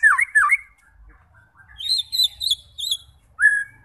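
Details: White-rumped shama song meant to provoke fighter birds: two loud slurred whistles, then a quieter gap, high thin twittering notes and one clear rising whistle.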